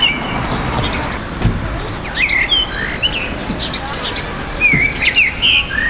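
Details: Common blackbird among neighbourhood birds in a tree near a home. It sings bright whistled phrases, including upslurred and looping notes. Some sharp clicks and a steady low traffic rumble run underneath.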